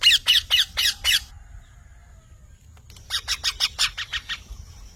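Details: Parrot giving a fast series of loud, grating squawks, then a pause, then another quick run of harsh, rasping notes.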